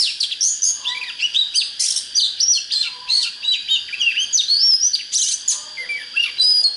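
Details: Oriental magpie-robin song used to excite birds for fighting: a dense, continuous stream of varied whistles, slurred sweeps and sharp chirps in quick succession, with a constant high whine behind it.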